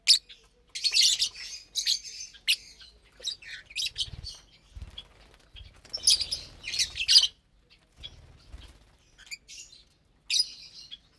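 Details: Lovebirds at morning meal time with corn, kale and seed mix; loud shrill squawks and raspy chatter in irregular bursts, with soft low knocking sounds between.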